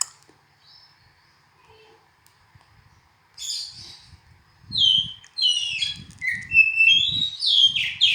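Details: Oriental magpie-robin: a few soft notes early on, then loud bursts of varied, scratchy and whistled high phrases tumbling one after another, over low rumbling background noise.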